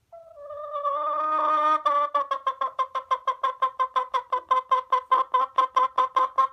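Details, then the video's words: Domestic hen clucking, opening with a drawn-out nasal tone that breaks into a long run of rapid, evenly spaced clucks, about two or three per second, in a quiet setting. "Chicken sounds, hen clucking"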